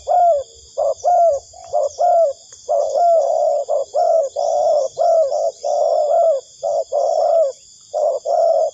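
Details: Spotted dove calls used as a lure for trapping: loud mellow coos repeated about once a second, short grouped notes with brief gaps, over a faint steady high insect-like hiss.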